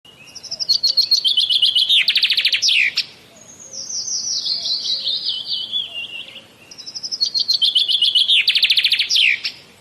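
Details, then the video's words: Common myna (shalik) from India: two bursts of rapid, rasping high chattering notes, each ending in a sharp descending trill, separated by a long buzzy slurred phrase falling slowly in pitch; quiet background. "Common Myna Bird Sound ! Shalik Pakhi India Birds ! Shalik Pakhi dark ! শালিক পাখির ডাক"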